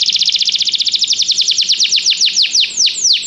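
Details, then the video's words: Canary singing in a training recording meant to prompt other canaries to sing: a quick series of high, repeated notes that gradually slows and widens into separate steep downward-sliding whistles. "Este canto canário inspira o apetite do seu canário para cantar imediatamente"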